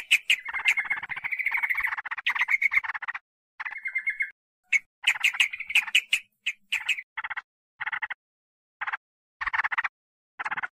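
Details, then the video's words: Yellow-vented bulbul lure recording made to draw in wild birds: bursts of harsh, rapid chattering notes with a thin whistled trill near the start, broken by short silences, then a string of brief clipped chatters. "Mp3 Pikat B4ru Bikin Trucukan Liar Em0si"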